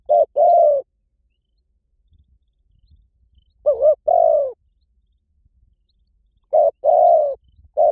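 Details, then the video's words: Spotted dove calling as a lure for wild doves: three separate coo phrases a few seconds apart, each a brief wavering note and a longer, slightly descending coo, with faint low rumbles between. "เสียงนกเขาใหญ่ หมานๆ ต่อเข้าเร็ว ป่าไหนก็เข้า"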